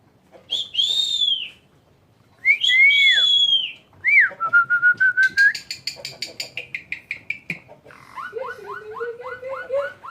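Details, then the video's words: A pet Asian pied starling, trained for a year and said to talk and mimic crying on its own, gives loud slurred whistles that rise and fall, then a quick run of sharp repeated notes and an even series of chirps. "Suara asli jalaksuren jalaksuren bersolawat"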